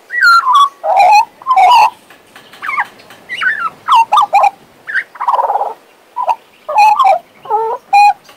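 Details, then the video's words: A pet male Western Australian magpie, whose voice is recovering after being lost, sings a rich, fluting warble of rising and falling bursts, mixing clear whistles with gurgling, slurred notes about once a second. "My Western Australian Magpie Warbling, Whistling and Singing!"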